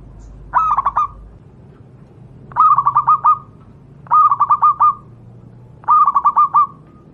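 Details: Local wild Javanese zebra dove song, meant as a master recording for training other doves: four phrases of quick staccato cooing notes, each burst ending in a short rolling trill, repeated about every two seconds over a quiet background.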